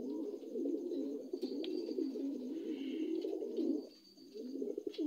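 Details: New adult dun Lahore pigeons coo in warbling, low, pulsing runs that fade briefly near the end before resuming, with scattered light clicks.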